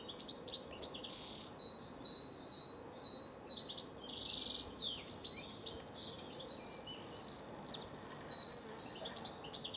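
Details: A great tit in Cambridge, UK, on 24 March 2020, sings bright, high chirping notes in quick repeated phrases, about two a second, over a faint steady background hiss.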